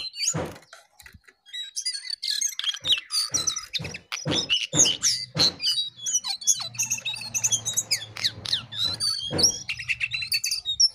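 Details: Jongkangan pouring out a busy, high chattering song of whistles and twitters, accompanied by repeated dull thumps and a low steady hum in the background.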